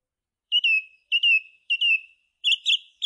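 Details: Short stretch of song thrush song. A clear whistled phrase that falls away is given three times in a row, then a buzzier, higher phrase starts repeating.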